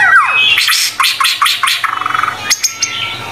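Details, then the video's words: White-rumped shama in full, vigorous song used as tutor material for training other shamas: a sharp rising whistle, then a fast run of bright, repeated chattering notes and a quick rattling trill, ending with a few clipped high chips. "MURAI BATU GACOR"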